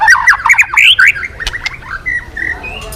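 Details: White-rumped shama, a formerly quiet bird now singing again, gives a fast run of harsh, chattering notes followed by softer drawn-out whistles.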